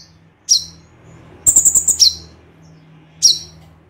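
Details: Crossbred white-eye (konin) singing in the 'tembakan' style: sharp high downslurred chips separated by pauses, with a quick burst of about seven rapid high notes in the middle; faint low hum underneath.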